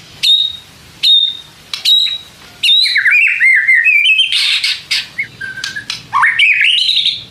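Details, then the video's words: White-rumped shama song meant to provoke rival shamas to answer: three sharp, high clipped notes about a second apart, then a long rich run of whistled, warbling and buzzy phrases rising at the end. "pancing MURAI BATU malas bunyi/bahan paling GAMPANG direspon tanpa takut"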